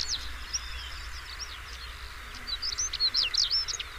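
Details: Song of a European stonechat: a quiet start, then a lively run of high, thin, scratchy chirps that grows louder toward the end, against a constant low hum.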